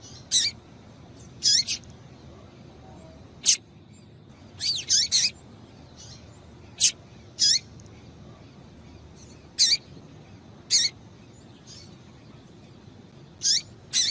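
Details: Female rusty-collared seedeater calling to warm up a male: a long irregular series of loud high chips, some single and some in rapid doublets or triplets, each dropping at the end, with quiet hiss between.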